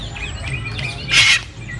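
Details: Sulphur-crested cockatoo (Cacatua galerita), among cockatoos playing with each other, gives one loud, harsh, grating screech lasting about a quarter second, with faint chirps and squeaks before it.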